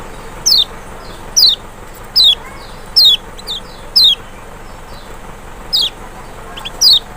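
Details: Lemon-bellied white-eye (Kecial, Zosterops chloris maxi, Lombok or Sumbawa form), trigger song meant to make a reluctant bird respond: sharp, high, downslurred whistled notes, one roughly every second, over a steady faint hiss.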